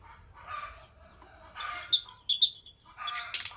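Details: Sky Blue Opaline and Green Opaline lovebirds in the morning give raspy chatter, then a quick run of sharp, piercing high chirps and buzzy squawks in close succession.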